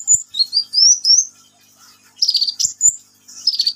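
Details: A ninja sunbird in full song gives a high, thin phrase of rising, slurred notes climbing step by step. After a pause come buzzy, rapid trills and sharp flicked whistles.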